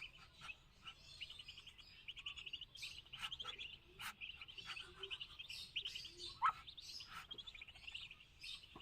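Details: Muscovy duck chicks kept on a farm in Kamrup, Assam, producing soft, continuous high cheeping, punctuated by occasional sharp clicks and a few short louder notes.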